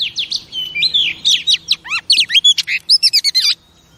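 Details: A female oriental magpie-robin, played to excite male pet birds, gives fast bursts of bright whistled notes, slurred rising and falling sweeps and clipped chips, then stops for a short silence at the end. A soft low hum runs underneath.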